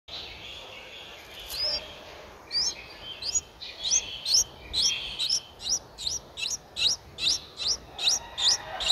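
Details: Nine-day-old Streak-eared Bulbul nestling, eyes open since day seven, in Ubon Ratchathani, Thailand, on 11 April 2023. High, thin chirps start sparsely, then settle into a steady string of sharp rising notes about two or three per second.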